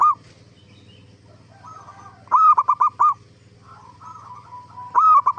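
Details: Zebra dove singing as a lure to draw answers from other zebra doves: faint background cooing, then two loud staccato phrases of quick, hollow notes about two and a half seconds apart.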